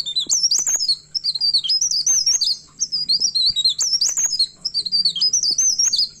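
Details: Myna in full, agitated song while looking for a rival: quick strings of high, warbling, up-and-down whistles broken by short pauses, repeated phrase after phrase throughout, with a steady faint whine behind.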